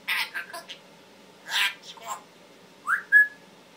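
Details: Pet Timneh African grey parrot, male, known for mimicking words, coughing and asking for water: rapid mumbled speech-like chatter, then a short upward-swooping whistle and a brief clear note.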